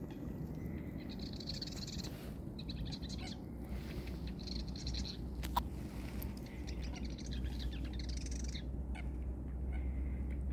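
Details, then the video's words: Marsh wren singing, hidden in reeds circling a lake and heard from a kayak. Buzzy, rattling bursts repeat about every one and a half to two seconds over a steady low rumble of wind and water. "Marsh Wren Song"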